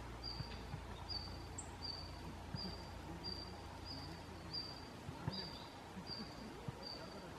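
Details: Red-flanked bluetail call notes, not song, from an unseen bird among several visiting on 30 November 2014: a thin, high whistled note about every three-quarters of a second, over a low background rumble.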